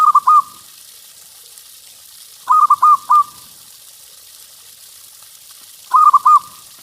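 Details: Lure song of a local zebra dove meant to draw in other doves: brief, liquid cooing phrases of three or four notes returning roughly every three seconds, over faint steady hiss.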